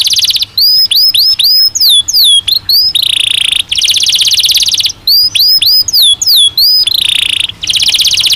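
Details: Loud canary song from a caged bird in breeding season: bursts of rising and falling whistled slurs alternating with long, harsh, buzzy rolling trills, the pattern repeated twice.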